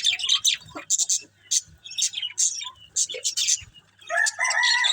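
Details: Budgies at green food give bursts of quick high chirps separated by short pauses, ending in a denser harsher warble; low tapping underneath.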